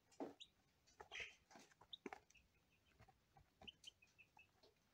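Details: Day-old lavender Ameraucana chicks, just delivered by post and settling into a warm brooder, give short, high, thin peeps, scattered irregularly, among soft clicks and rustling knocks.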